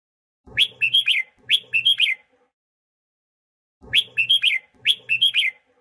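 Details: Training song of a red-whiskered bulbul, meant to fire up new and captive birds: paired phrases of four clear, warbling whistled notes, a silent gap of about one and a half seconds, then another identical pair.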